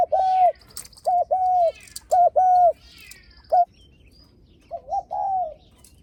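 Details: Spotted dove cooing to greet guests: three quick short-long coo phrases with small birds chirping overhead, a lone clipped note, then a final softer, wavering phrase.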